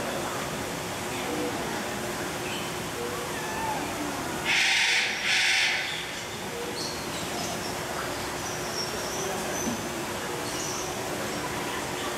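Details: Male eclectus parrot at Philadelphia Zoo, hidden high in a tree in the Tropical Rain Forest section of the McNeil Avian Center, calling noisily; two loud, harsh squawks in mid-clip over steady visitor chatter.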